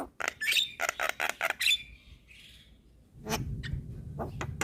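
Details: Javan myna, white-eyed form, in a training recording for cage birds: fast sharp notes and short whistles, then quieter calls over low rumbling noise.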